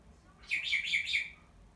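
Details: Pet black-headed caique calling for its owner, who is washing its cage: four loud, shrill, screechy notes, each rising then dropping, given in quick even succession over about a second against a quiet room.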